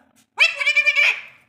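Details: A talking Alexandrine parakeet utters a single drawn-out, nasal, wavering syllable lasting about a second in an otherwise quiet setting.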